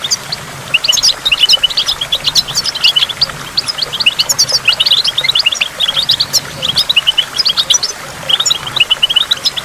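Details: Goldfinch song beside a waterfall with dripping water, played to stimulate goldfinches: after a brief quiet start, fast high chirps and twitters tumble on continuously, bright and metallic, above a low steady water hiss.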